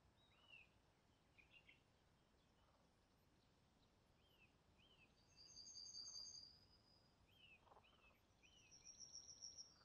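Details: Common kingfisher (Alcedo atthis) in Niepołomice Forest, Poland, July 2020, giving short, shrill whistled notes in scattered pairs over a steady hiss with high, buzzy insect-like trills.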